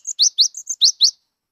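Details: Cinereous tit, a newly caught wild bird that sings a lot, used to prompt mute birds. A short run of about seven high, sharp notes alternating between upswept and flat tones, then silence.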